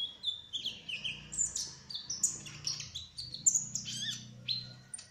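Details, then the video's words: Rambling 'gacor ngerol' song of a spotted kolibri ninja sunbird, thin rising and falling whistled notes strung closely together, over a faint low mechanical hum. "Kolibri Ninja Trotol Gacor Ngerol : Singing Hummingbird"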